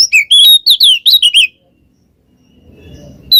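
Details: Oriental magpie-robin in 'ngeplong ngekek' song, played to prompt a lazy bird into singing. A quick one-and-a-half-second string of loud, high whistled chirps, then silence, a low rumble, and the start of another note.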